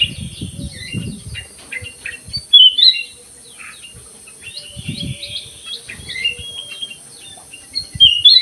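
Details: Aviary-kept black-crested bulbul in lively song, giving scattered short whistled notes and chirps with sharper, louder phrases at about two and a half and eight seconds, plus low thumps and a constant high hiss.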